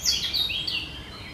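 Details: A brief fragment of great reed warbler song recorded on 1 July 2020: harsh, chattering notes sweeping downward in quick succession over a faint hiss of background noise.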